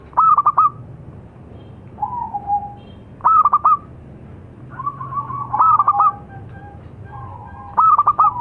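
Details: Zebra dove, a local perkutut, giving its song: short trills of rapid staccato notes, each answered by a lower drawn-out purring coo, phrases roughly every two to three seconds over faint low rumble.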